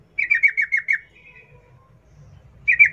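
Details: Sooty-headed bulbul, 'ngalas ropel' wild song used to prompt captive bulbuls: a rapid falling series of six bright chirps, a soft trailing whistle, a quiet gap with low murmur, then another quick chirp burst.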